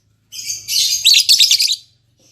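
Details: Newly paired caged lovebirds, albino MM male with lutino MM female, producing one continuous shrill, scratchy chattering burst lasting about a second and a half, then silence.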